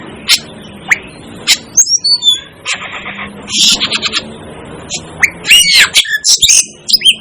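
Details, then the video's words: Asian glossy starling chirping: a lively jumble of sharp clicks, squeaks, short whistles and buzzy chatter, irregular and quickening toward the end. "Asian Glossy Starling Calls Aplonis Panayensis"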